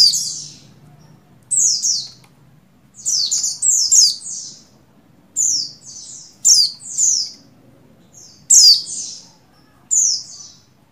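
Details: Female Oriental white-eye of the buxtoni form in breeding condition calling the male: bursts of high, thin, rapid chirps and twittering trills, roughly one phrase every second, with a faint low hum beneath.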